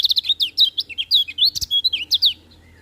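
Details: Lemon-bellied white-eye, a bird kept for training, singing in the morning: a rapid, continuous chatter of high, sweeping whistled notes, many falling in pitch, packed tightly together for over two seconds before stopping.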